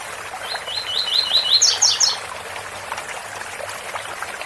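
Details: Coleiro in tui tui bitola style over a cascade: a string of fast upward-flicking notes climbs to a few piercing high double chips, followed by the unbroken sound of falling water.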